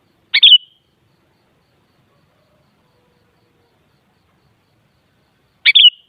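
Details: Sooty-headed bulbul (kutilang) phrases meant to make a kutilang respond: two short clipped chirp-whistle bursts roughly five seconds apart separated by silence.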